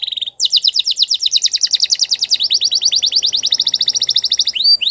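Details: A Belgian canary sings a long, rapid, rolling trill of quick repeated notes, steady and loud throughout, with a brief lower note at the start.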